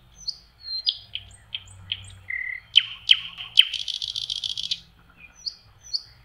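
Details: Common nightingale in May on a spring lake shore: separate clear whistles rising and falling, a low steady tone, three whip-like cracks, then a long harsh buzzy rattle and soft trailing whistles.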